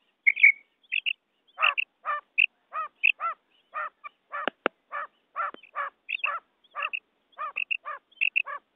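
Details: A quail (batair), in a recording used for hunting, gives quick, harsh, clipped notes in loose bursts of two or three, several a second and rising and falling, with no other sounds.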